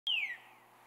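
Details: Veery at Saint-Antonin, Québec, on a cold morning of 14 June 2020: one clear whistled note slides steadily downward, lasting about a third of a second, then silence with faint background hiss.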